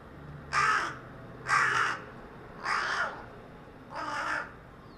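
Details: On a utility pole above a residential street, a carrion crow gives four rasping caws about a second apart, the last two slightly weaker; filmed 4 February 2021 with a quiet low hum behind.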